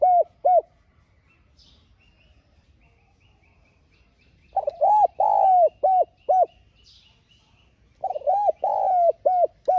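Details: Decoy spotted dove cooing to stir other doves into song: two quick low notes, then after a pause two full phrases of stuttered opening notes, a long slurred coo and two short closing notes. Faint chirps of other birds sit higher up.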